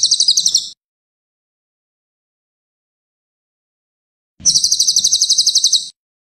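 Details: Cililin song used as masteran, a recording played to train songbirds to copy other voices: dry, rapid, even buzzy trills at high pitch, one short burst then a longer burst of about fifteen pulses after silence.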